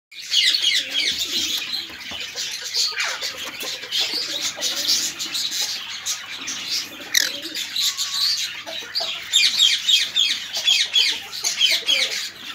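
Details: Cinnamon green-cheeked conure with its babies, kept as a pet bird: dense, continuous high chirping and scratchy chatter throughout, rapid overlapping calls with brief louder bursts, plus a soft lower warble near the middle.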